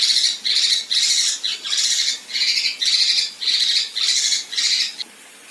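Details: Female kinoi giving coarse 'tembakan kasar' and 'besetan' phrases, used as tutor material for contest birds: harsh, buzzy bursts repeated about twice a second, each roughly half a second long, with a final shorter burst.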